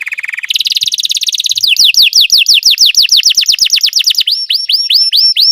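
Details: Belgian canary singing, used for training other canaries to sing: a short buzzy note, then a rolling tour, then a fast run of descending whistled sweeps repeated about three times a second, ending in upward-hooked notes.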